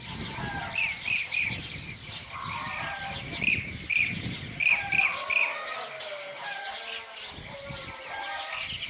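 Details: A Blue-cheeked bee-eater perched on a wire in Anatolia, Türkiye, on 9 May 2024, gives short, rolling trilled notes in quick bursts of two or three, over busy background chatter from other birds.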